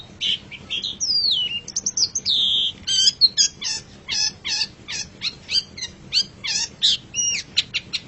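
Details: Long-tailed shrike master song for training pet songbirds: varied loud phrases mixing sweeping whistled slurs, a long descending note and sharp chattering notes, quickening into rapid separate chips near the end.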